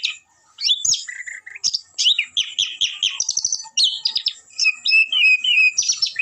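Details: Long-tailed shrike in full varied song packed with mimicked phrases, a fast string of sharp chirps, squeaky trills and short whistled notes between two and eight kilohertz, changing pattern every few notes.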